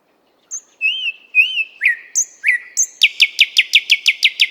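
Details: Nightingale singing in the 50th Anniversary of October park in Moscow, recorded with a RODE NTG-3 microphone and ZOOM H6 recorder: pure whistled notes and slurred downward phrases, then a fast run of about ten sharp repeated notes.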